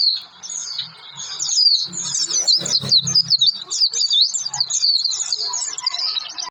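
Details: Oriental white-eye lure song for making birds sing: quieter start, then a burst of rapid high warbling twitters running to the end, with a low hum in the middle.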